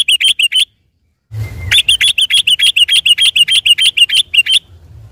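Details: Yellow-vented bulbul in rolling, continuous song on a Sunday morning, meant as a lure for the same species: a rapid string of bright ringing chirps, a brief gap with a low thump, then a long fast regular chatter that fades at the end.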